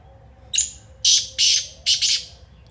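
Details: Black francolin, called kala teetar, calling loudly: a thin opening note, then three or four broad, scratchy, rasping syllables delivered in quick succession within about two seconds, with no other sounds.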